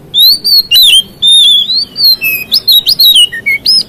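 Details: Continuous phrase of a white-rumped shama singing to provoke rivals: a quick run of clear slurred whistles, falling and rising, ending in short chips and upward-sweeping notes.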